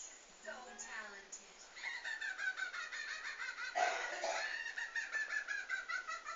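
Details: Rosie, a female pet budgerigar, chatters in fast, scratchy chirps and warbles, with a brief voice at the start.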